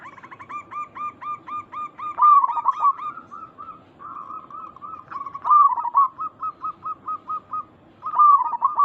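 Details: Zebra dove of local stock singing as a lure so other doves respond: a long string of short, evenly spaced coos, broken three times by loud rolling, warbled bursts.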